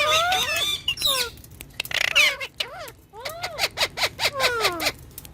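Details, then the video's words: Pet green ringneck talking parrot squawks and chatters: a few gliding harmonic notes, then a run of short arched chirps repeated quickly in the second half, fairly loud and close. "Green Ringneck Talking Parrot"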